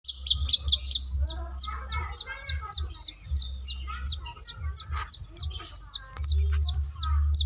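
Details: Long-tailed shrike from South Malang, a trained master-song bird, singing a mimicry of lovebird and canary: rapid, even string of sharp high chirps repeated several times a second, with low background hum and faint voices.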